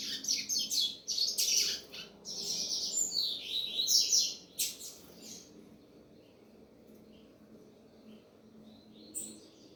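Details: Rapid high twittering song phrases from a double-collared seedeater for about five seconds, then near quiet with a single faint chirp at the end.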